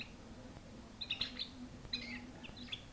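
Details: Canary singing in brief clusters of sharp high chirps and quick twittered notes, three bursts within a few seconds, with a faint continuous low hum behind.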